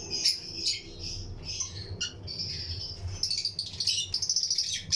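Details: Lutino lovebirds kept as a breeding colony in an aviary, with other birds around; dense, rapid, high-pitched chirping in quick irregular runs, busiest in the final two seconds, over low hum.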